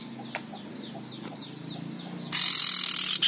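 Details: Fierce male common iora, quiet at first with faint ticks, then breaks into one loud grating rasp lasting nearly a second.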